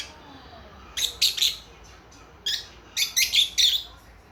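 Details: Pet lovebird chicks a few months old conversing: two bursts of sharp, high chirps in quick threes and fours, separated by a short pause, in a quiet room.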